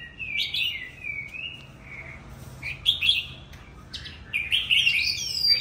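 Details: Old forest-caught Oriental magpie-robin singing loudly: a long string of varied whistled phrases, slurred notes and richer warbling bursts that swell toward the end, with no other clear sounds.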